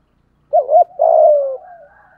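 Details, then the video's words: Single phrase from a spotted dove kept to lure wild doves, 'giọng thổ' voice: a quavering two-note burst, then a sustained falling coo that fades into a faint tail. "Tiếng chim cu gáy kích bổi nhanh nổi hiệu quả - Chim Cu Mồi"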